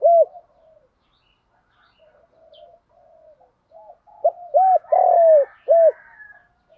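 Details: Spotted dove in giọng thổ pha đồng cooing style. Faint, softer cooing drifts through before a loud phrase near the end: clipped hoots, then a long sliding coo and a final short note.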